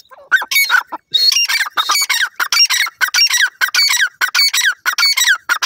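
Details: Partridge (teetar) chicks fighting over food: dense, harsh squawking chirps with rising and falling notes, overlapping in rapid bursts of several calls each, almost without pause.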